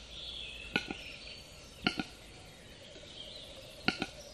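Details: Western capercaillie giving sharp, hollow double clicks, one pair about every one to two seconds, over a steady high hiss of background noise.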